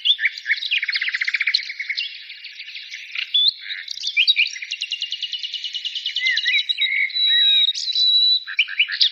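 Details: Several birds singing together in a dense, high chorus of overlapping trills, rapid buzzy rattles and sharp chirps, with a steady thin whistled note near the end.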